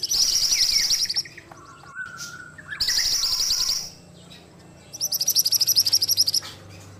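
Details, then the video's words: Lively singing from an ashy tailorbird: three bright, high-pitched bursts of rapid repeated notes, each about a second long, with brief soft whistles between them. "Masteran Burung Mantenan Gacor"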